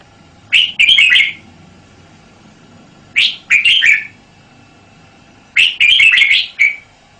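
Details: Red-whiskered bulbul delivering three lively song phrases about every two and a half seconds, each a fast cluster of bubbling, whistled notes, the last phrase longest and closing on a drawn-out note.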